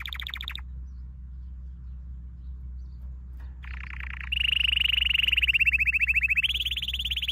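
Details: Domestic canary singing a training song: a short high trill, then a pause of about three seconds, then a rapid buzzy rolling trill that flattens into a steady, sustained whistled roll lasting several seconds.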